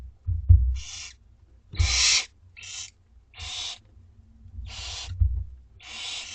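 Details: Begging two-week-old barn owlets at dinner time in a school garden, making six rasping, snore-like hisses spaced roughly a second apart, with soft thumps of movement below.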